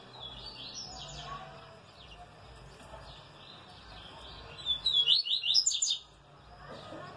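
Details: Saturday recording of a brown 'pardo' double-collared seedeater: faint high chirps early on, then a loud, rapid burst of sharp twittering notes near the end, over steady low background noise.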